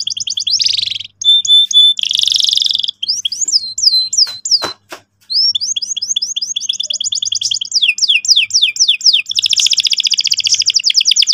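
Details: Lively canary song aimed at teaching young canaries to roll: buzzy bursts and clipped tones, a couple of sharp clicks, then sweeping notes and a long fast high trill.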